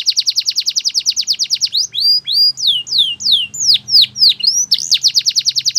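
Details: Canary song opening with a fast, even trill of short notes, shifting into slower, loud downward-swooping whistled notes about three per second, then returning to a quick trill; faint low hum underneath.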